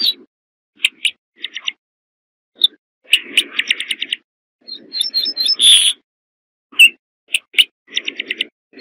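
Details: Corn bunting song: short, scratchy chirps and rattling clicked bursts build to one full phrase of quick ticks ending in a bright, glassy jangle, followed by more brief chirping notes.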